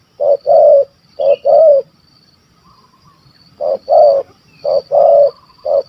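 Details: Big-voiced stammering spotted dove, kuk 1 2 type, sought on a dove hunt in Malaysia. Two bursts of paired deep coos are separated by a pause, with faint high bird notes in the background.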